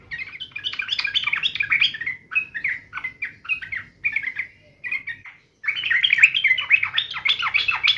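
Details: Agitated sooty-headed bulbul in fighting mode, giving short bursts of rapid chirping, slurred notes separated by brief pauses, then a near-silent gap before an unbroken, louder run of fast chattering phrases.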